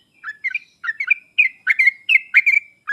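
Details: Sooty-headed bulbul song for coaxing a quiet bird to respond: cheerful chattering phrases of two or three rolling notes, each burst closely followed by the next.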